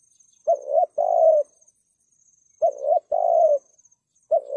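Spotted dove cooing in low, mellow two-part phrases, a short coo then a longer rolling one, repeated about every three seconds; a faint high hiss underneath.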